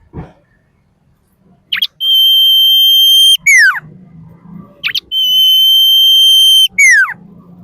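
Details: Female common iora song played as a lure to spur other birds into song: two long level piercing whistles, each ending in a quick cascade of descending notes, over soft low background noise.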